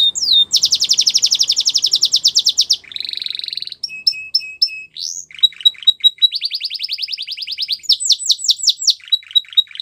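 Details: Belgian canary song made of varied phrases: a fast high trill, a lower buzzy rattle, sparse clipped notes, then more trills and looping whistled notes.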